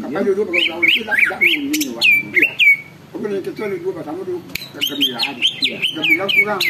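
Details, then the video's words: Greater green leafbird song meant to rouse rival birds into singing: quick bursts of ringing, downslurred whistles in rapid series, a pause of low warbling, then another fast whistled volley after a sharp knock. "cucak ijo gacor bikin burung lain ikut BUNYI dan EMOSI"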